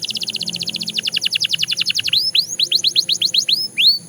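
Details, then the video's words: Belgian canary song: a fast high trill, then falling whistled slurs and rising arched whistled notes repeated several per second. "Canary Singing Sound – Belgian Canary Edition"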